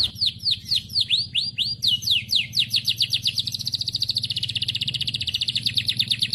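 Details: Morning canary song for coaxing silent canaries to sing, with a run of swooping high notes about four per second, then a fast, rattling trill held on one high pitch, over a low droning background.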